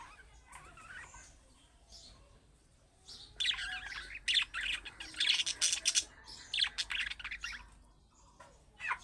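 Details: Budgerigar calls meant to make pet budgerigars respond: quiet scattered chirps at first, then a loud burst of rapid, scratchy chirps and warbles in the middle, fading to a few single chirps.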